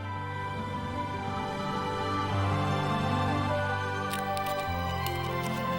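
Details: Sustained tonal music with held chords, and a faint higher shimmer near the end.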